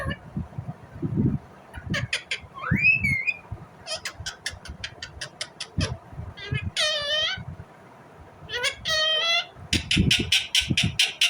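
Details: Indian ringneck parrot chirping naturally: rapid clicky ticks, a rising whistled slide, then bent harsh squawks and a closing run of fast, evenly spaced sharp chirps, over low thuds.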